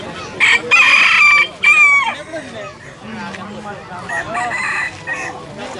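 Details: At a hybrid junglefowl crowing contest in Felda Tenang, Terengganu, a hybrid gives a loud, high, strained crow in two bursts, the second ending in a brief falling note; softer crowing and clucking follow behind.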